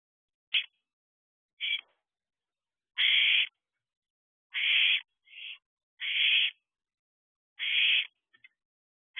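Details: Two 10-week-old wild barn owl owlets together in a nest box at 2:15 am on 15 June 2023, growing independent; harsh, hissing screeches in short bursts, about eight in nine seconds at uneven spacing.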